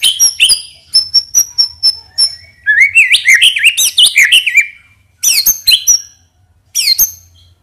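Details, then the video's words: Caged white-rumped shama singing in bursts: sharp high whistles, a lively warbled run of twisting notes, then short loud phrases after pauses. "PANCINGAN MURAI BATU NEMBAK ISIAN INI | SHAMA BIRD"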